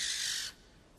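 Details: Barn owl hunting in low light: one short, rasping hiss-like screech lasting about half a second, harsh and toneless, cutting off abruptly into near silence.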